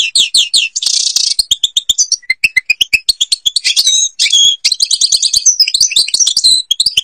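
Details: European goldfinch, Algerian bird, Babas forest song: repeated bouncing double notes, a harsh buzzy burst, then quick tinkling chirps and jangling trills delivered in a lively continuous flow.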